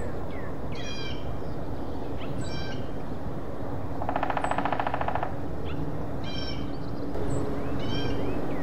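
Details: Hairy woodpecker, one fast, even drum roll lasting just over a second mid-recording, set against steady background hiss, with other birds giving short, stacked, nasal calls before and after.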